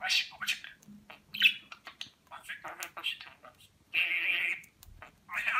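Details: Talking budgerigar kept as a pet in Rize, Turkey, 2020, mimicking Turkish phrases such as "Aşkım" and "Cici kuş"; raspy imitated syllables, then a long nasal buzzy note near the end.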